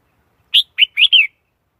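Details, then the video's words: Red-whiskered bulbul gives a brisk four-note phrase, the last notes run together in a rolling, descending warble, against silence. "Tiếng chim chào mào"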